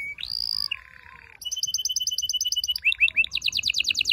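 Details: Strong canary song to prepare females and males for breeding: a rising whistle, a lower buzzy note, then rapid repeated high double notes and quick rising chirps.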